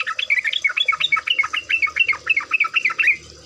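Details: Trucuk (sooty-headed bulbul) lure recording meant to get a trucuk singing, in rapid 'ropel' style: dense run of quick chirpy, bubbly notes rising and falling, about four per second, continuous through the clip.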